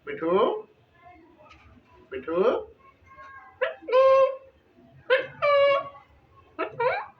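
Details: Green ringneck Indian talking parrot in a captive breeding setup, voicing a run of speech-like phrases: short harmonic bursts with rising and falling inflections about every one to one and a half seconds, some drawn-out syllables, indoors.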